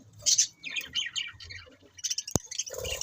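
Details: A loud high chirp opens, followed by a run of quick twittering budgie notes, a single sharp click, and renewed bright chattering near the end.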